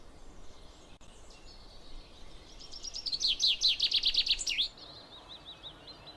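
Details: Common chaffinch song: a fast series of sharp, high notes that speeds into a loud descending trill and closes with a brief flourish, followed by softer high chirps against a light noisy background.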